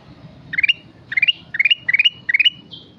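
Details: Kutilang emas in energetic song, giving five short rising bursts of stepped, climbing whistled notes in quick succession, then a brief higher slurred note at the end.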